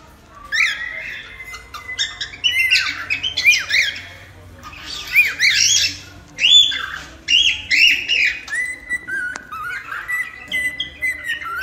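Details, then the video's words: Cockatiel giving a busy run of harsh squawks and arched chirps, with short rising and falling notes and a few level whistled tones, in a small indoor space. "AMANSAR CALOPSITA EM 10 MINUTOS!"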